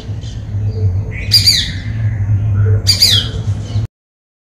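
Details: White-bellied drongo in Sri Lanka giving two loud harsh squawking calls with rising whistled lead-ins, about a second and a half apart, then quiet.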